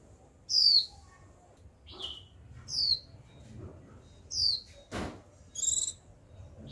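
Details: Young female Japanese white-eye in captivity calling 'chíu' to prompt a male to sing. Several thin, high descending whistles, one softer note in between, and a brief broadband rustle near the middle.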